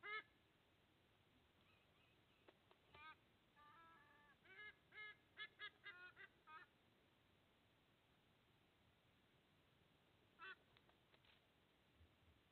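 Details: Sea eagle at the nest in Australia, 30 August 2024, the male arriving with food for two eaglets; scattered bursts of honking notes clustered between three and seven seconds, another pair near ten seconds, with steady hiss.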